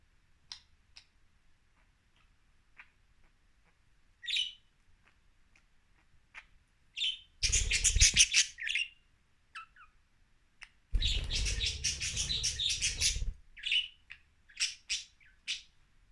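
Budgerigars give bright, scratchy chirps and short warbling bursts, with brief broadband rustling noises between.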